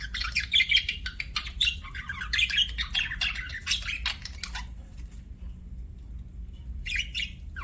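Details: Budgerigars chattering with buzzy, scratchy warbles and short chirps for about five seconds, then near quiet before a brief final burst, low hum underneath.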